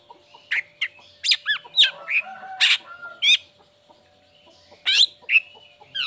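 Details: Uncovered, chatty long-tailed shrike whose song serves as a lure to get lazy or moulting birds singing. It gives looping, upslurred and downslurred whistles and short scratchy notes in clusters, then a pause and more sharp whistles.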